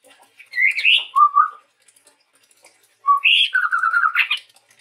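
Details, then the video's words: Sumatran forest chestnut-rumped babbler, a singing male, gives two whistled phrases: a rising slurred whistle and a short low warble, then a quick note and a longer wavering, rippling whistle rising at the end. "suara burung tepus tunggir merah gacor"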